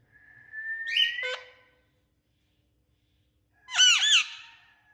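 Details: Talking Indian ringneck parakeet: a long, clear, gently rising whistle ends in a sharp click, then after about two seconds of silence a loud burst of harsh, quavering squawks.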